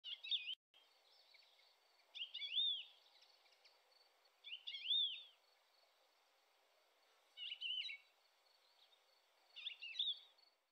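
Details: Thekla lark giving short, clear whistled phrases of rising and falling slurred notes. The phrases repeat about every two and a half seconds, with near silence between them.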